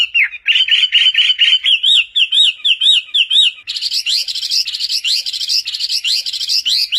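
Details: Chinese hwamei song variations for training other birds: a chain of repeated wavering whistles, then sharper, higher upslurred notes in a rapid rhythmic series.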